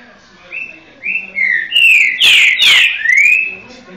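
Green-winged Saltator singing a loud, rich phrase of clear whistled notes, slurring up and down, building into a fuller, overlapping flourish before a final rising whistle.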